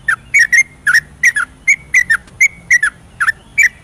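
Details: Night song of a yellow-vented bulbul in 'ropelan' style, played to coax idle birds to sing: clear downward-slurred whistles, often paired, spaced roughly every half second.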